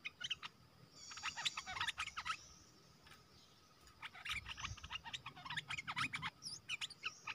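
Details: Red-whiskered bulbul kept in a cage and used as a lure for wild birds, recorded 12 September 2021; dense runs of sharp, chattering whistled notes, a short pause, then another lively burst.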